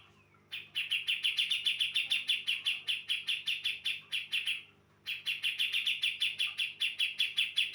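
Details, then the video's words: Javan female brown-cheeked bulbul, used to lure males into answering: quick repeated bright, slightly buzzy notes in two long runs, about four a second, split by a brief gap. "Pancingan Cucak Jenggot Jawa Betina Gacor Jantan Jantan Pasti Nyaut"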